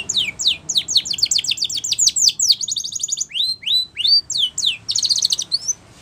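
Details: Powerful Spanish Timbrado canary training song: long runs of rapid descending sweeps, rising whistled notes, and a fast high trill near the end.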